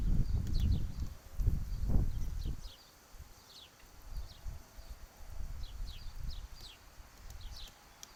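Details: A downy woodpecker hammers at peanuts with loud, muffled thuds in quick bursts for the first two and a half seconds, then fainter scattered taps. Other birds keep up high, sliding chirps in the background.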